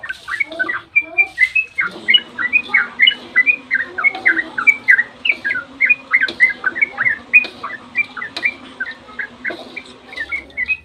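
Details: Yellow-vented bulbul in a long, rapid dawn song used as a lure to set other bulbuls singing: dense run of short, slurred whistled notes around the same pitch, chattering on almost without pause.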